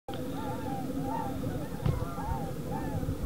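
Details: Flock of 33 tundra swans calling as they fly over Nelson's Lake in Batavia, Illinois; soft overlapping hooting notes rise and fall repeatedly over steady low rumble.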